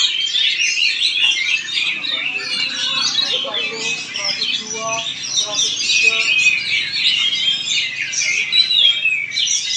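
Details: Oriental magpie-robin performing in Palangkaraya, Central Kalimantan: a dense, rapid run of high whistles, trills and chattering notes with quick sweeping slurs, delivered almost without pause while men talk underneath.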